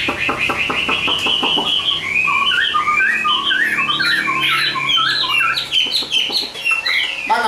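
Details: Chinese hwamei, a caged bird offered for sale, sings a varied run of clear whistled notes that slide up and down, mostly mid to high pitched. A man talks over the first two seconds, and there is faint room noise.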